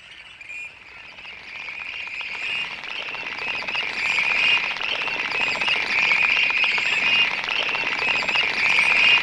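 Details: Western Grebes during their courtship "rushing" dance on a prairie pothole in North Dakota in May: a dense, overlapping chorus of harsh, high, creaking calls, about four a second, swelling louder over a steady background hiss.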